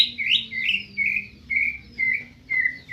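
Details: White-rumped shama from Medan singing a slow sequence of full, fluty whistles, each a short warbled note about half a second long, with brief gaps between them.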